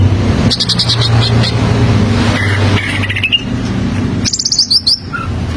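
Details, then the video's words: Greater green leafbird (cucak ijo) giving its standard song, used as a model for young birds learning to sing: short bursts of high chirps and a few slurred whistles over a steady low engine-like hum. "Suara Standar Burung Cucak Ijo Paa Jadi Pancingan Cucak Ijo Belajar Bunyi"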